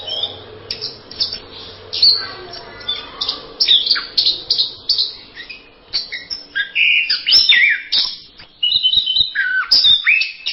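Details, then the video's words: Anis merah, the orange-headed thrush, giving a varied masteran song: a long string of quick high whistles, chips and rapid warbled bursts, steady throughout with brief pauses, a faint low hum at the start. "Berbagai kicau burung anis masteran."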